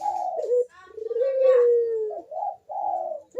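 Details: Barbary dove (puter) cooing vigorously, used as a lure to stimulate doves reluctant to sing. Low, hollow coos: a short rough opening note, a long smooth falling coo, then brief rolling notes. No other sounds.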